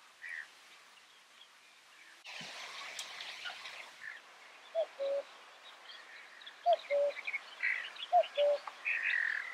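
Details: Common cuckoo (Cuculus canorus canorus) in the Camargue, France, in May 2018, giving its falling two-note 'cu-coo' three times, roughly every one and a half seconds, over high chirping from other small birds.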